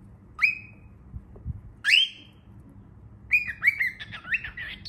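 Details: Young cockatiel calling in rising, whistled squeals: two separate upward-sweeping cries, then a rapid run of wavering, chattering whistles.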